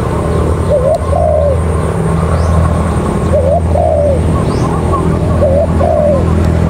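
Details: Ground decoy spotted dove cooing in three evenly spaced phrases, each a quick rising note and a longer bowed coo about two and a half seconds apart, over a continuous low engine-like hum.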